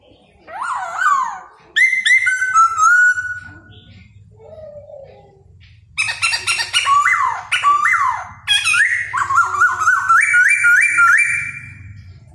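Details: Laughingthrush singing as it dances, mixing wavering whistles, soft low notes and harsh chattering phrases with loud rising whistles, over a faint low hum.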